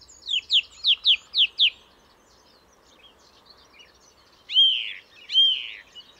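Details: Song thrush singing: a fast run of six sharp, descending notes repeated in a row, a pause with faint twitters, then two loud, slurred, arching whistles.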